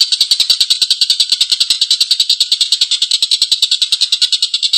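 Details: Collared kingfisher giving a long, rough laughing call: a fast, even chatter of harsh, scratchy notes, about three per second, running unbroken through the whole stretch.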